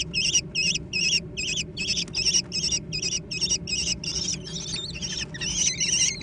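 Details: American kestrel chicks competing for food. Quick, buzzy, warbling high squeals follow one another about two and a half times a second, growing more wavering toward the end.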